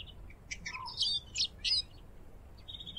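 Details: Eurasian siskin gives a short burst of high twittering chirps and a brief low warble, ending on a thin level whistle, fairly quiet.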